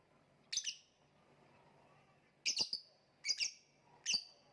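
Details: Lovebird giving one sharp chirp, then after a pause three rapid harsh double chirps about a second apart, high and piercing, over a faint hum.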